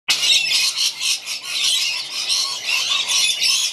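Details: Rainbow lorikeets being fed in a backyard, a flock screeching together in a dense, harsh, continuous chorus of high squawks that pulses in loudness every fraction of a second.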